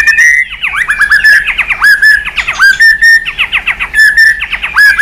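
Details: White-rumped shama stimulated to sing hard, switching voices and flicking its tail; a dense, continuous stream of loud, sharply slurred notes repeated in quick clusters without pause.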